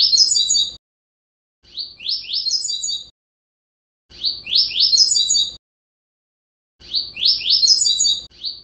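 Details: Song of a Double-collared seedeater for training a captive bird. Rapid rising chirps are followed by a thin, high jingling flourish. Four phrases are separated by short pauses, with a clean, quiet background.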